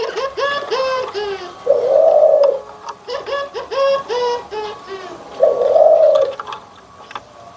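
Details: Anggungan coos from Barbary doves, white versus brown: bursts of quick stacked call notes alternate with three long, level, low coos.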